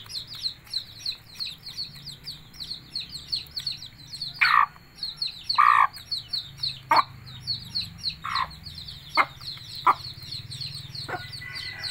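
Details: Mother hen calls her chicks to food. Soft, low clucks come in an irregular run over several seconds. High-pitched peeps from the chicks chatter continuously underneath.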